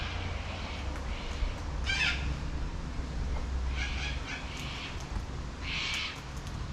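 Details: Backyard in Adelaide, South Australia: a wild cockatoo utters three separated, coarse squawks, the last one longest and broadest, set against a continuous low drone.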